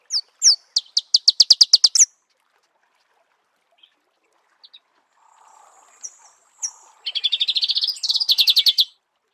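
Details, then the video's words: Marico sunbird singing in its natural habitat, with a fast, even trill of high ticking notes, a quiet pause with faint notes, then another rapid rattling trill. "Marico Sunbird"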